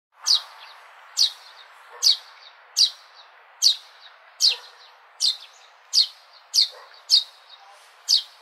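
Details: Sparrow giving sharp, high chirps, roughly one every second, each a short bright note repeated steadily over a soft hiss of background noise.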